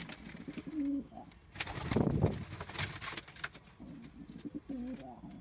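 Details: Domestic pigeon coos, low and warbling, heard at the start and again near the end, separated by a loud burst of flapping or handling noise in the middle.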